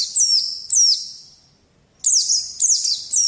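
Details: White-eye song meant to train young birds: dense, high, sweet whistles that sweep downward, two phrases, a brief pause, then three rapid phrases in quick succession.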